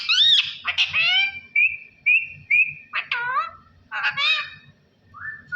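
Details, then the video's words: Parrot speaking Allah Hoo: loud raspy speech-like phrases alternating with three short even whistles, then more chattering syllables and a soft closing whistle. "Parrot Talking ALLAH HOO میاں مٹھو کی باتیں اللہ ھو"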